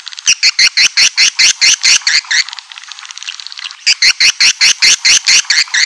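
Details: Swiftlet lure call for drawing a colony into a building: rapid high chirps repeated about twice per second in two bursts separated by a quieter gap of faint twittering.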